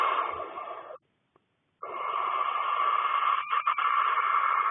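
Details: Cornish barn owlets, six in a nest box with the mother out flying: long harsh snoring hisses, broken by a pause of just under a second, then resuming with brief flutters in the rasp.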